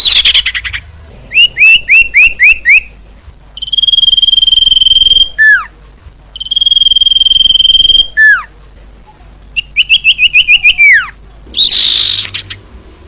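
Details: Female common iora calling to attract males, with bursts of quick rising chirped whistles and two long, steady, pulsing whistled trills, each closing with a sharp downslurred note, then another chirp series and a harsh rasp.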